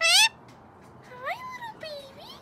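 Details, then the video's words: Rescued Indian ringneck parrot at a sanctuary gives a short harsh squawk, then two nasal, rising voice-like phrases imitating human speech. "Indian ringneck parrots talking like humans"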